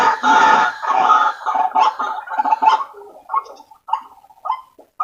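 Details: White-breasted waterhen calls played as a lure for waterhens. Loud, overlapping raucous croaking fades into separate short harsh notes with brief gaps between them.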